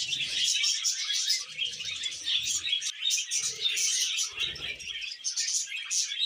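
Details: Budgerigars during mating and breeding, with continuous dense high chirping and warbling chatter, overlapping twitters and squeaks, and a few soft low knocks or rustles underneath.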